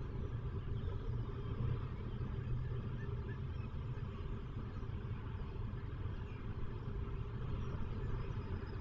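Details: Steady low engine rumble, like an idling vehicle, fills the whole stretch with no animal calls.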